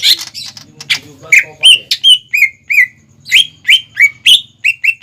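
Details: {'text': 'Lively greater green leafbird song meant as a lure for young birds to imitate: rapid series of short whistled upslurred notes repeated about three per second, after a brief jumble of chips.'}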